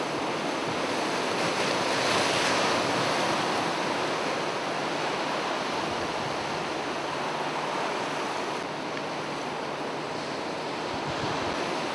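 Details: Steady roar of surf and wind fills the recording, with no animal calls standing out.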